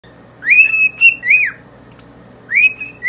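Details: Two pet cockatiels singing in front of a mirror: clear whistled phrases, each rising, holding level, then dropping, repeated in three bursts over a quiet indoor background.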